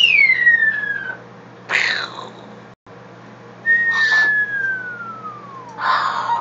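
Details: Pet blue-fronted amazon imitating bombs dropping: two long pure whistles that glide steadily downward, each followed by a breathy, noisy burst like an explosion, with a quiet gap between them.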